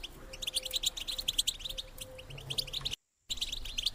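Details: ['Female European goldfinch calling to encourage males to breed: fast, bright twittering chirps repeated in quick runs, with a faint low steady hum and a short silent break near the end.']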